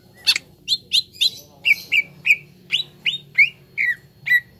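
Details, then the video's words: Green leafbird (cucak ijo) training song meant to get young birds singing quickly: a series of sharp, clear whistled notes about every 0.4 seconds, many sliding down, with a low steady hum underneath. "TERAPI CUCAK IJO BAHAN CEPAT GACOR"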